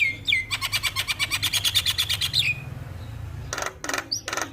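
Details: Javan myna, full-isian song as a lure for a mute myna: a rapid buzzy trill of about twenty pulses framed by whistles, then a pause and three loud harsh noisy bursts.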